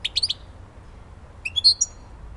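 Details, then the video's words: European goldfinch, Elbasani: two quick clusters of sharp, high, tinkling chirps separated by a short silence, the second burst more varied and slightly slurred, against quiet low hum. "civit elbasani"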